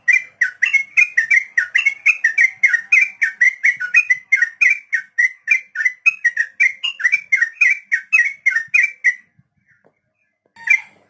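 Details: Sooty-headed bulbul, the trucukan, in a long rolling 'ropel' song used as a tutor recording for young, untamed captive birds: rapid run of loud whistled, slurred notes about five per second for nine seconds, then silence and one final note.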